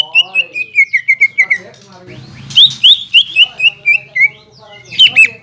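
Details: Green leafbird song, used as a lure to provoke rival birds into singing, said to include kingfisher, magpie-robin and shama sounds: loud whistled notes in two rapid descending series, each slurring downward, with sharp high chips overhead.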